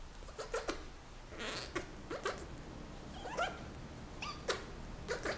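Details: Senegal parrot kept as a pet, wooing its owner's hand in breeding season: soft repeated squeaks and chirps with harsh raspy bursts, arriving in small clusters about every second against a faint room hum.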